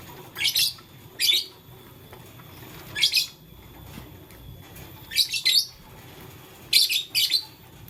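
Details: Lovebirds of blue, lutino and green colour, kept as pets and playing with a flower in the morning; sharp, scratchy high chirps come in pairs and singles every second or two against a quiet room hum.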